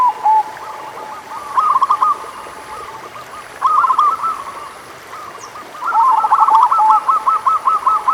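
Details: Local zebra dove (perkutut lokal) song used as a lure for lazy singers: bursts of trilled coos, ending in a long evenly spaced run of about a dozen rapid coos, quieter birds behind.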